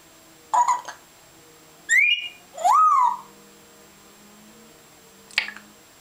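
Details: Pet grey parrot indoors, a bird that imitates water sounds, noises, curses and talking: a few short whistled notes, one rising and one swooping up then levelling, with clicks, in a quiet room.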